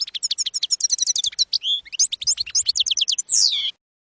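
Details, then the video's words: European goldfinch in campero-style song for training young birds: fast repeated high twitters, a short whistled dip, lively chattering notes, and a closing drawn-out buzzy downslur. "NUEVO CD CAMPERO PARA EDUCAR JILGUEROS 2022/2023"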